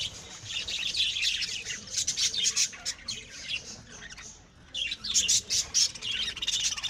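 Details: Home-bred pet lovebirds chattering in dense, piercing high chirps and squawky notes, several birds overlapping, pausing briefly before a fresh burst of sharp, clipped calls.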